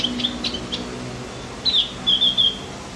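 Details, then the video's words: Javan grey-throated white-eye song meant to excite other birds: a few quick, high, separate chirps, followed by a short run of bright, rapid twittering notes. "Masteran buat burung OPIOR JAWA agar tambah emosi"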